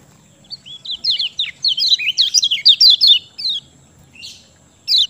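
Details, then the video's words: Kecial kuning, or lemon-bellied white-eye, singing as a lure to coax quiet birds into song: a fast, continuous run of high chirpy downward-sliding whistles lasting about three seconds, followed by a soft rasp and one final note. "Ciak Joss Kecial Kuning Ampuh Bikin Gacor Pancingan Kecial Malas Bunyi"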